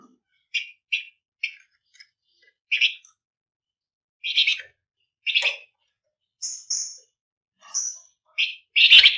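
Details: Flamboyan singing a dense 'ngebren rapat' style meant to prompt other birds to sing: sharp high chirps in quick pairs, then longer buzzy notes and clear whistles spaced about a second apart.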